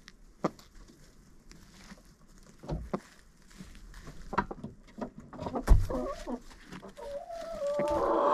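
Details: Coop chickens recorded by a GoPro inside the enclosure: sparse taps and low thumps at first, then rising clucks and a wavering drawn-out call building toward the end.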